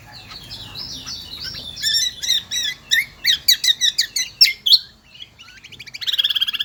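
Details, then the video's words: Kecial kombo, endemic to Lombok island, in loud shrill song: a twittering lead-in builds into a rapid, steady series of sharp high chirps, a short pause, then a fast buzzy trill. "burung kecial kombo gacoorrr melengking"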